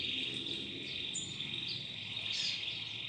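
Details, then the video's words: Domestic canary, a newly acquired caged bird being trained to sing: a steady, buzzy high trill held throughout, with a few short whistled notes laid over it and low room noise. "COMO TREINAR O SEU CANÁRIO!!! ELE VAI CANTAR LINDO EM POUCOS DIAS!!!"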